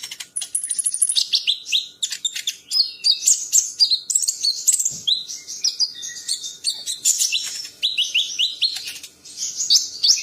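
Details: Dense, energetic chattering song from a champion bird, with rapid ticking notes, short falling whistles and repeated trilled phrases running continuously for ten seconds.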